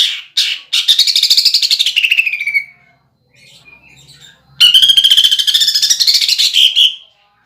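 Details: Strong greater green leafbird song: a sharp call opens, then a dense buzzy trill sliding downward, a pause with faint background sound, and a second long harsh rattle rising and falling.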